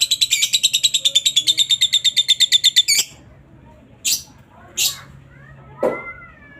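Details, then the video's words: A lovebird's rival-provoking ngekek: a quick run of high, rasping pulses, about eight per second, lasting three seconds, then silence with a few isolated sharp squawks and one short rising whistle. "suara burung Lovebird pasti gacor, pancingan emosi lawan cepat nyaut ngekek"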